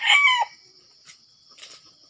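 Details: A Sumatran red junglefowl, recorded during wild junglefowl luring, gives a brief, harsh crow that breaks off within half a second, followed by faint clicks and a steady high insect whine.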